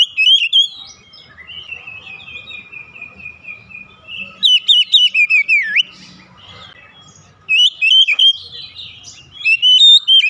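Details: Oriental magpie-robin song used for luring other birds: a long run of evenly repeated thin notes, then rapid varied whistles with a downward swoop, a pause, and more quick bright phrases.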